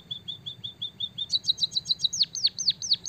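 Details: Soft evenly spaced high ticks give way to a rapid doubled trill and then bright chirps sweeping sharply downward, from a white-headed munia singing with canary-style phrases.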